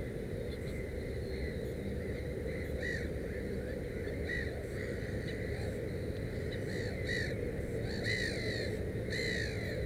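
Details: Black-headed gull near a nest with three chicks: brief rasping calls at first sparse, then clearer and more frequent in the second half, against low continuous background noise.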